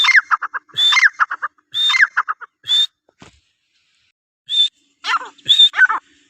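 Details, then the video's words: Iranian francolin giving a few whistle-and-chatter phrases in quick succession, then falling silent before two more whistled notes and a short rattle. "Teetar ki awaz| Teetar voice | Sound of Teetar |Iranian teetar ki awaz"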